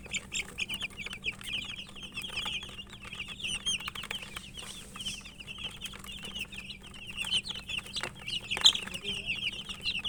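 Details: A flock of chicken chicks feeding, giving a steady stream of thin high peeps, quieter and more distant, mixed with many dry clicking pecks and a faint constant hum in the background.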